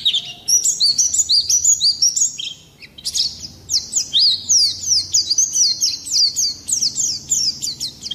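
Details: Oriental white-eye (pleci) in full rolling song used to stir other birds to sing; fast runs of high chirping notes, about three per second, each sharply rising then dropping, with a short pause midway.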